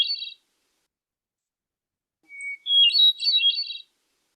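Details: Hermit thrush (Catharus guttatus) song: a long, pure whistled opening note, then a rapid, ringing, flutelike cascade of higher notes; the end of an earlier phrase is heard first.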